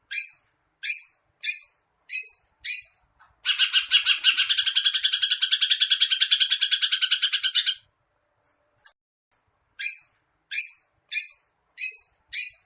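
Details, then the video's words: Greater green leafbird (cucak ijo) training song with filler phrases imitating a sparrow, a lovebird and a kingfisher: sharp, bright, high notes repeated about every half second, broken by a fast, harsh, buzzy rattling trill lasting four seconds. "masteran cucak ijo isian -greja- Lovebird- tengkek"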